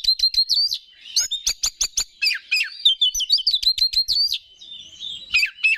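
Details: Oriental magpie-robin song used to stir rival males into singing: dense, energetic bursts of sharp clicks and chattering notes mixed with short whistles, delivered almost continuously with brief pauses.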